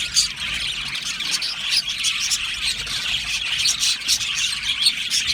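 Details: Many Australian budgerigars singing and chirping in an aviary colony, a thick blanket of high twittering with sharp chirps standing out every second or so above the constant warble.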